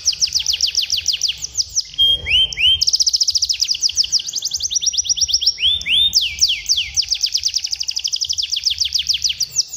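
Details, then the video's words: Song of a canary used to tutor young birds toward strong rolling song: dense quick note trills, a pause of low upswept whistles, then renewed rapid rolls that gradually slow. "masteran kenari paud agar gacor dan ngeroll"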